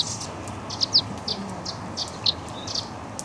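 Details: Young Eurasian crag martins being fed at the Walensee in Switzerland: short, high, thin chirps come in irregular bursts, some paired closely, over a steady low background hiss.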